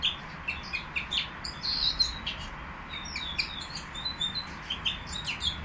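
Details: Nightingale song recorded at the Qrayaa bird market: quick bright chirps and clipped whistles tumbling in an irregular stream, a louder twittering burst near the middle, over steady low room noise.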